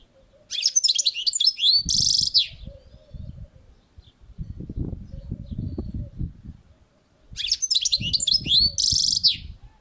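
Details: European goldfinch on a balcony: two bursts of quick twittering with a buzzy rasp, several seconds apart, over steady low rumbling background noise.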